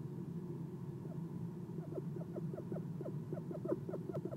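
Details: Eastern screech owl at a nest box during an early morning visit: after a quiet second of low rumble, faint soft chirps begin and build into a regular series of short falling notes.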